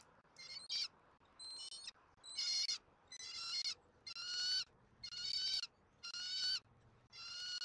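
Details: Bald eaglet being fed dinner at a nest on a Southwest Florida eagle cam, 13 January 2024, with both parents present: high, thin chirping notes in harmonic bursts, about one per second, eight in a row.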